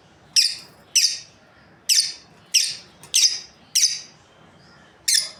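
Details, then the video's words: Lovebirds, a breeding pair, calling with loud, shrill chirps repeated roughly every half second to second, each a harsh high burst fading quickly, with faint background hum. "Amazing Lovebirds Chirping Sounds | breeding pair"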